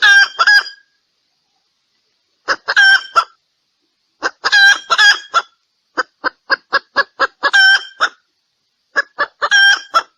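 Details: Female red junglefowl calling for males, used as a hunting decoy call: bursts of harsh, nasal clucking notes in short clusters, some quick and staccato, others drawn into cackles, with pauses between bouts.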